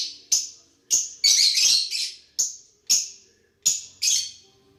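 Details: Lovebirds calling back and forth as they interact: a series of shrill, high chirps roughly every half second to second, with a denser scratchy chatter near the start.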